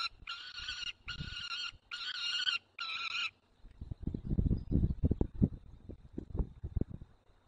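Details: At a Barycz Valley nest holding one own and three adopted young, a white stork calls its adopted chick, 9 June 2020, mid-morning. Four short harmonic calls in quick succession, then low dull knocks and rustling.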